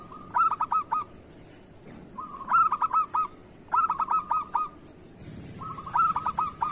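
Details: Local zebra dove in kerot style, used as a model song for doves that rarely sing: four phrases, each a quick run of sharp staccato coos ending in a rattling cluster.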